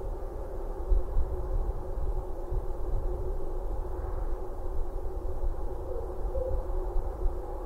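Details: Only a continuous deep rumble of wind or distant traffic is heard, with no bird calls.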